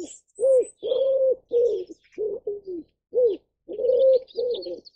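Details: Ashy wood pigeon (Columba pulchricollis) giving a series of deep, hollow coos, some short and some drawn out, about eight notes in five seconds with brief gaps; faint high chirps from other birds in the background.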